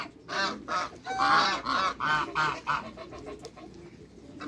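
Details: Farm flock of six African and Toulouse geese meeting new geese, honking in a quick regular series of about seven loud nasal notes, fading into softer background calls.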